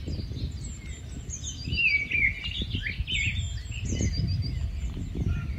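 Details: Rufous-tailed scrub robin, a migratory bird, producing a fluent twittering warble of slurred whistles that runs for a couple of seconds, then a second shorter burst, set against high chirps of other birds and a low continuous rumble.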